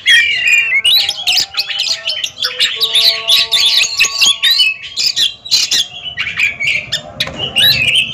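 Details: Competition song duel between two caged Oriental magpie-robins: rapid, harsh and whistled notes pour out almost without pause, with sharp clicks and faint steady tones underneath.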